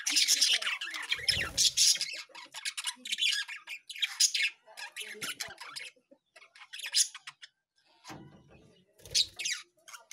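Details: Lovebird flock with bursts of shrill squawking chatter broken by short quiet gaps; a low murmur rises briefly twice beneath the calls.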